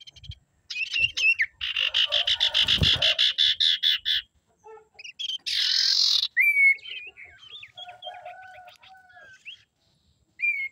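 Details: Female common iora calling as a lure to provoke males: a fast series of buzzy, rattling bursts lasting about three seconds, then a harsh rasp and a string of short whistled notes and slurred, falling whistles.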